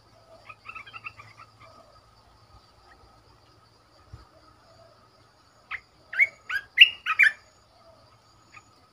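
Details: Red-whiskered bulbul kept caged as a decoy bird: soft, quick twittering notes, a quiet gap, then a loud, rich phrase of rapid whistled and chirped notes rising and falling, followed by silence.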